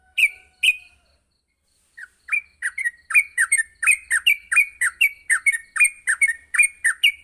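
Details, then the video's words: Yellow-vented bulbul morning song used as training material: two opening chirps, a second of silence, then a steady run of sharp two-note chirps, about eighty per minute, keeping up to the end. "masteran pagi burung trucuk untuk melatih trucuk agar cepat ngropel"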